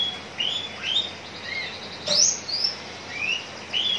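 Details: Javan bush lark kept in a cage and described as contest-ready, recorded in Cikupa, Tangerang regency: spaced, thin whistled slurs, some rising and some dipping, with one louder sharp note near the middle.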